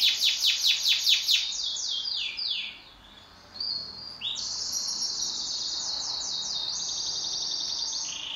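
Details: Pet canary in a home duet: opens with a quick run of sharp repeated notes, then rolling trills, a short pause, and a renewed high sustained trill with repeated swooping syllables.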